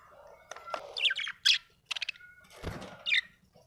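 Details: Happy budgie chirping in a quick, uneven run of high bright chirps and short scratchy notes, with a faint low hum underneath.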